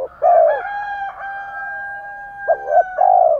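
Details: Spotted dove coos, male and female, intended to stir an untrained male to coo: a long husky coo opens, a thin steady tone holds through the middle, then a short wavering note and another long coo.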